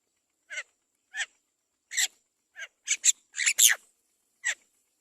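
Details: Young Great myna fed by its mother bird: rough, hoarse screeches, single at first and then crowding into a louder cluster of rasping bursts near the end before one last call.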